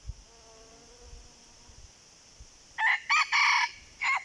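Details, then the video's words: Red junglefowl in the wild, calling back to a decoy bird: faint whistled tones first, then a strong choppy crow of four rough syllables over a steady insect drone. "ต่อไก่ป่า ไก่เถื่อน ( ຕ່ໍໄກ່ປ່າ ໄກ່ເຖື່ອນ )"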